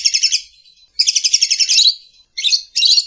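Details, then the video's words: Lovebird calling in four quick bursts of shrill, stuttering, high-pitched chirps, the longer middle burst rising into a squeaky flourish before two short closing phrases. "Lovebird Calling Sound"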